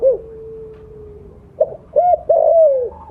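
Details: Loud spotted dove, blorok colour form, kept for luring other doves, delivering a long steady low note followed by two short arched coos and a long sliding downward coo.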